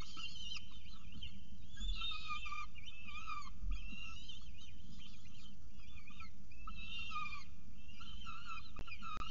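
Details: At a CSU Orange nest, a peregrine falcon with a pigeon at breakfast time, 7:59 am, 24 October 2018; bursts of thin, wailing calls that come and go in clusters, with a steady low hum beneath.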